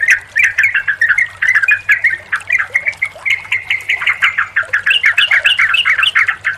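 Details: Sooty-headed bulbul sounds combined to relax and stimulate a quiet, stressed bulbul: rapid chattering notes running almost continuously, ending in louder rhythmic bubbly phrases, over a low hum.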